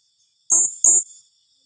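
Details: Two quick piercing high notes from a blue-crowned hanging parrot in its tembakan rapat calling style, the second following almost at once, clean and loud with no other sounds.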